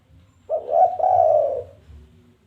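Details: Spotted dove giving its challenge call as lure material: a single two-part coo, a brief opening note followed by a long, steady, slightly falling coo, over a soft low background hum.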